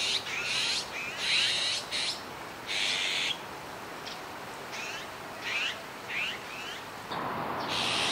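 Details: Recorded 17 July 2019 in Kiba Park, a juvenile azure-winged magpie alternates loud hoarse rasps with a string of quieter, short upslurred squeaks, the calls coming in quick irregular succession.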